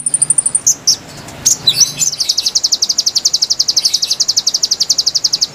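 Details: A konin sings a long, steady high trill of crisp repeated notes, about four a second, after a few short chattering phrases. It is used for luring wild konin, and a low hum fades out early.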